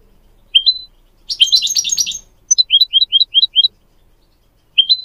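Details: Tutor song of goldfinch mules and canary for teaching young songbirds: one rising chirp, a buzzy tumbling twitter, then seven quick repeated up-slurred whistled notes and a lone closing chirp.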